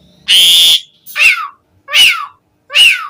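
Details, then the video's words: Asian pied starling used as a lure for starlings, giving a harsh broadband rasp followed by three loud downslurred whistled notes spaced under a second apart. "Suara Kicau Jalak Suren Mudah Ditiru Buat Pancingan Burung Jalak Agar Gacor Full Isian Mewah"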